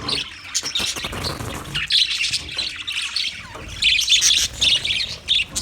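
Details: Budgerigar chatter: twittering, warbled chirps in uneven bursts, with louder clusters of bright squeaky notes toward the end.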